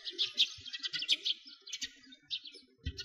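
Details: Sparrows in winter by a frozen lake in Bratislavsky Park, Moscow, Russia: a flock gives dense, high, overlapping chirps and tweets, quick irregular bursts with brief pauses, faint low rumbles underneath.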